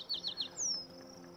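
Spotted Towhee: three quick, high, down-slurred chips followed by one longer, thin note that slides downward, all within about a second.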